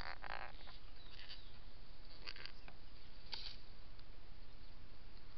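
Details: Adult pair of gang-gang cockatoos drinking at a well on a rural block at Yackandandah, Victoria, 17 January 2017; one short harsh, raspy call near the start, then a few faint ticks, over steady background hiss.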